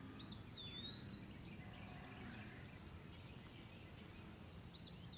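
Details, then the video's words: Eastern wood pewee singing a long, clear, slurred whistle that starts high and glides downward over about a second. A brief start of another whistle comes at the very end, over steady low background noise. "Eastern wood pewee call / song / sound"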